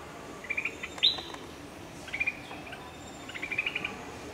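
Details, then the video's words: White-eyes give short, thin, high chirps in quick clusters, with one sharper note near the start, and bulbuls also call, over a soft background hiss, while a shikra sits nearby. "white-eyes and bulbuls calling"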